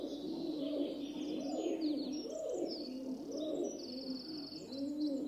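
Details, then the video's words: Rock dove giving low, soft, rolling coos in arching, swelling phrases repeated roughly once a second, with faint high-pitched chirps from other birds in the background. "Rock Dove [Columba Livia] Sound Effect"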